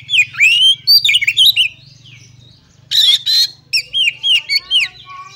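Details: Oriental magpie-robin (kacer) fighting song used to test rivals: rapid twisting whistles and chips, a pause, two harsh rasping bursts, then more quick curling whistled notes over a low hum.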